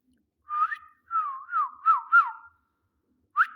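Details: A talking ring-necked parakeet (rose-ringed parakeet, Psittacula krameri) gives whistled mimicry: clear, swooping phrases wavering in mid pitch, then a short rising whistle after a pause.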